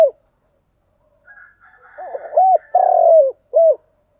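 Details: Thúc gù coo of a spotted dove. Faint murmuring notes build into a clear phrase: an arched coo, a long grating coo dropping at its end, then a short final coo. Background is otherwise silent.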